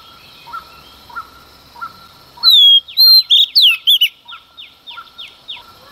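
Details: Early-morning song of a female Oriental magpie-robin provoking males: a brief loud phrase of gliding whistles and twisted notes, set among faint quick downslurred notes repeating regularly in the background.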